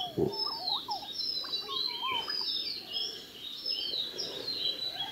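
Yellow-footed green pigeon giving mellow, wavering whistled notes that rise and fall, over a busy chorus of high, thin chirps from other birds.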